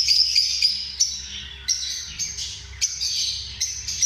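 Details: High, squeaky lovebird chatter with drawn-out shrill notes broken by sudden sharp chirps, a low hum underneath.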